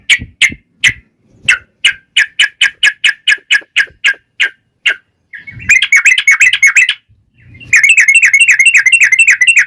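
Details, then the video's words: Yellow-vented bulbul giving a 'tarung ropel panjang' fighting song used to provoke answering birds. A quickening series of separate sharp chirps, about four a second, gives way to two rich, bubbling chattered phrases. "trucukan gacor TARUNG ROPEL PANJANG"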